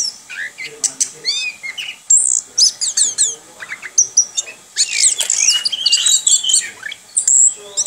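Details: Orange-headed thrush, a kept bird, singing in the continuous rolling style called ngerol: a rapid varied run of high whistles, trills and sharp chirps, with brief pauses and no other clear sounds.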